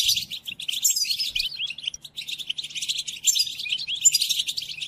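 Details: European goldfinch song for teaching captive birds during moult: bright, rapid jumble of sharp tweets, rolling trills and buzzy notes, delivered without pause, with a faint low hum behind.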